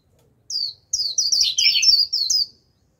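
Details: High twittering líu warble from a decoy Japanese white-eye calling in wild birds. A short opening note comes first, then a dense run of sweet, tumbling phrases that briefly drop lower midway.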